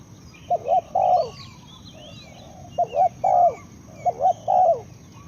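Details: Spotted dove giving three quick phrases, each two soft clipped coos and then a longer drawn-out croo, with small birds twittering faintly in the background.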